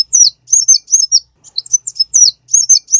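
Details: Close, clear konin bird song from a lure and master recording with full repertoire. Separate high chirps, each swooping down and wavering, come in small clusters with short silences between them.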